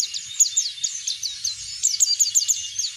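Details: Oriental white-eye pouring out shrill, rapid chirps in open 'ngeplong' style, played to prompt other birds to sing. Sharp, high slurred notes repeat several times per second, with faint low thumps beneath.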